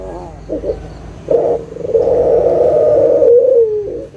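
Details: A local spotted dove gives low, soft cooing, two brief notes then a long drawn-out rolling coo dipping at the end, used as a lure call to get silent doves singing.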